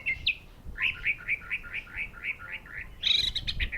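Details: Orange-headed thrush producing a steady series of about ten similar slurred whistles, roughly four per second, ending with a louder, higher, busy phrase.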